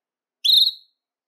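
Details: A male Belgian canary, singing to stir other males and females into breeding condition, gives a single clear, high whistled note that rises slightly and fades within half a second. Nothing else is heard.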